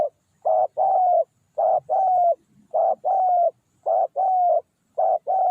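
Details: Decoy spotted dove calling to lure wild doves: paired husky coos, a short note then a longer drawn-out one, repeated about once a second in a steady rhythm, with faint low rustling beneath.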